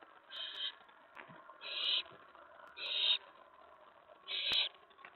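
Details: Owl begging at the nest during a night prey delivery, 11:28 PM on May 15, 2017: four harsh, hissing screeches, each about a third of a second, spaced roughly a second apart, with faint rustling between.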